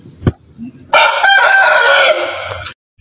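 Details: Rooster crowing in a yard: after a click and a brief low call, a loud, hoarse, drawn-out crow of nearly two seconds, rich and harmonic, ending abruptly.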